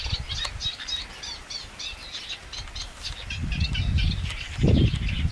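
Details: Eurasian Reed Warbler singing in reedbed at a lagoon, giving quick runs of harsh, chirping notes in the first half, then fading behind rising low wind rumble and a brief thump near the end.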